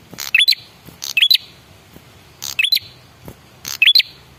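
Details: Male red-headed prinia lure call, used to make other birds answer: short harsh buzzy bursts, each ending in a sharp rising whistled note, given in clusters about every 1.2 seconds.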